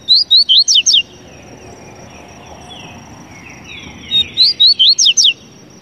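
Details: Papa-capim, the double-collared seedeater, repeating its quick phrase of about six clear, high, sharply inflected whistled notes twice, separated by a pause with soft distant chirping from other birds.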